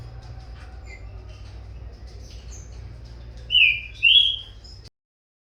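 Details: Young captive green-winged saltator singing against its father: two loud whistled slurs close together near the end, preceded by quiet faint notes and low hum, then silence.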